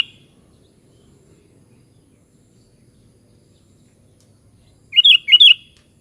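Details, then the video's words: ['Sooty-headed bulbul, with a mostly quiet stretch of faint low background noise broken near the end by a short burst of two bubbly whistled notes.'] "SUARA BURUNG KUTILANG"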